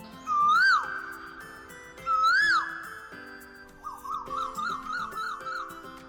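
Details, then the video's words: Asian koel calling kuhu in summer near a house in Ambajogai, often before people wake, like an alarm: two loud, clear whistled notes that swell upward and dip, about two seconds apart, then a quicker wavering run, over soft music. "उन्हाळ्यात तर जणू गजर लावल्यासारखे कित्येकदा आपण उठायच्या आधीच कोकिळ कुहू कुहू करीत हाका मारीत असतो [संगीत]"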